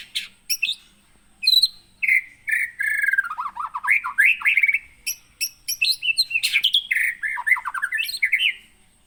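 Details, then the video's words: Captive white-rumped shama from Pining in the Gunung Leuser region of Aceh, caught in the wild in 2017, singing a rich, varied run of loud whistles, rapid trills and sharp chattering notes with barely a break. "MURAI BATU ACEH GUNUNG LEUSER"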